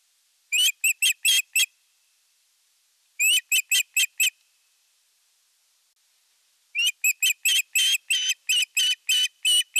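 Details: Osprey at a nest in the Satakunta region of Western Finland, 19 July 2022, as the male arrives with a big fish, recorded by nest camera: three bursts of sharp, high whistled chirps in rapid strings, separated by short silences.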